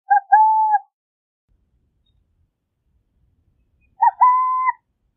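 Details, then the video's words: Burrowing owl song: two clear, low hooted phrases about four seconds apart, each a short note followed by a longer, drawn-out one, the second phrase slightly rising. Quiet background otherwise. "Lechucita Vizcachera Canto! Lechucita Vizcachera Sonido! - Burrowing Owl Song"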